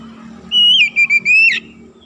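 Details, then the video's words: Oriental magpie-robin in full song, used as a lure recording to quickly excite other magpie-robins: one clear whistled phrase, a long steady note breaking into short ringing notes that end on a sharp upslur. "PANCINGAN TERCEPAT MENAIKAN EMOSI KACER GACOR DENGAN CEPAT"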